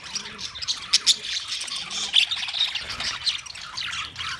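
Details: Australian parrots, budgerigars, on 13 March 2024 give a dense stream of high twittering chirps and squawks, several birds overlapping with short sharp peaks throughout.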